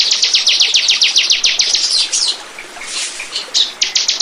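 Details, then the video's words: A bar-winged prinia's song, used as lure audio to attract birds. About two seconds of rapid, sharp, high chips fade into a quieter hissy patch, then a few more loud notes close it out. "Burung. burung ciblek pancingan"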